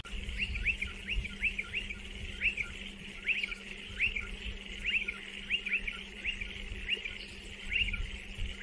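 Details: Striated pardalote calling in a steady run of short, sharp down-slurred chips, about two per second, over constant hiss and a low electrical-sounding hum.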